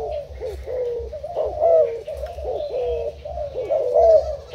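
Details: Spotted dove kept as a trapping decoy, Thai type, recorded 10 April 2018, giving a steady run of low, soft, rolling coos. The phrases come close together and end in a slightly higher, drawn-out note.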